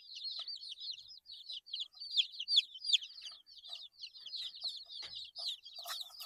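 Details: Several 8-day-old chicks peep continuously in a busy flock chorus, each note a short high descending chirp, about two to three per second, with a soft knock and rustle near the end.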